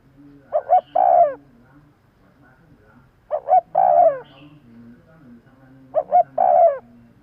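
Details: Spotted dove cooing to lure birds quickly: three evenly spaced phrases, about every 2.7 seconds, of two quick coos then a prolonged descending coo, with faint low hum between.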